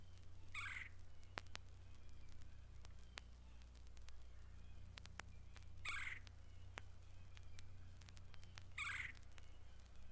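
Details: Red-bellied woodpecker, the most common woodpecker in the sanctuary: three short, rolling, harsh calls spaced several seconds apart, over a steady low hum and scattered sharp clicks.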